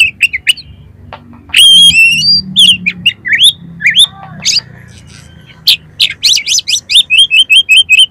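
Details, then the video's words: Loud oriental magpie-robin song from a training recording for contest birds, rich in mimicked material: bright varied whistles, rapid trills and descending phrases, ending in a fast even series of repeated sharp notes. "KACER GACOR FULL MATERI MIUNTAH ISIAN || COCOK UNTUK PANCINGAN KACER LOMBA"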